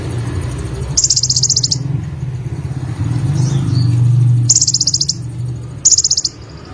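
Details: Olive-backed sunbird, called konin or kolibri in Indonesia, singing actively: three rapid, high, buzzy trills of fast-repeated notes, each under a second, over a steady low rumble like passing traffic.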